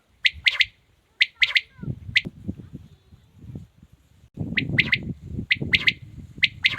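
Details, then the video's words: A quail, tagged as a male, calls in a village setting: short, sharp bursts of two or three clipped notes, repeated irregularly about once a second, over low rumbling background noise. "Amazing quails calling | batair ki zabrdast awaz | ماشاللہ بٹیر ہو تو ایسا کمال کی مستی ہے"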